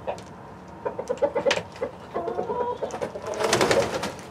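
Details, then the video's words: Domestic hens and a Rhode Island Red rooster on a live feed; soft clucks in short clusters, rising to a busier, noisier flurry of overlapping calls at the end. "12 Hours Of Chicken City Live Stream With Relaxing Nature Sounds"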